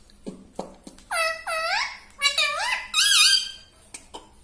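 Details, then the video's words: Human-like talking from a pet parrot indoors: a few short clicks, then three squeaky speech-like syllables, each dipping and rising, followed by faint taps. "insaan ki tarah bolta tota - talking parrot"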